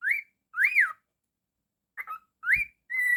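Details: A pet cockatiel whistles indoors: a rising note, a long swooping arch, a short broken chirp, another rising whistle and a steady flat tone, with a soft thump.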